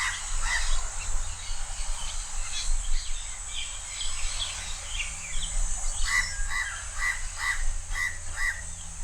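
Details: House crow perched high and calling loudly at Changi Beach Park, Singapore: a run of six harsh, even caws about half a second apart near the end. Scattered higher chirps from other birds come earlier, over a steady low rumble.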